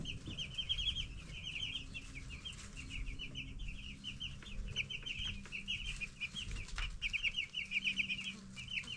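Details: Broiler chicks aged 10 days chirping together, an unbroken stream of short, high, slightly descending peeps from many birds, with a soft mechanical hum and occasional thumps.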